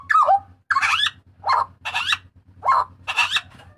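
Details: Butcherbird from Papua, a loud, harsh cry used as a master recording for cage birds: five or six raspy, broadband shrieks, each about a quarter second, with short gaps, over a low steady electrical hum.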